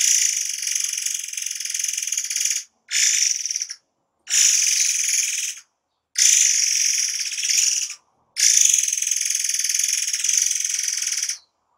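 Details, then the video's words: Murai air (forktail) delivering tightly packed song bursts meant for tutoring cage birds; four long, shrill, grating high trills, each lasting one to three seconds, separated by short silent gaps. "Tembakan RAPAT Murai AIR 90% Jitu untuk Masteran"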